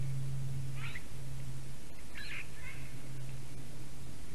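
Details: Eurasian jay visiting a black stork nest in Latvia at 9:47 AM on 11 April 2019, giving three short, rough, mewing notes spaced about a second apart over a steady low hum.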